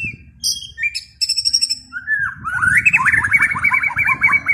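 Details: White-rumped shama with a few high, sharp buzzy notes, then a long, rapid, rippling series of whistled slurs repeated many times.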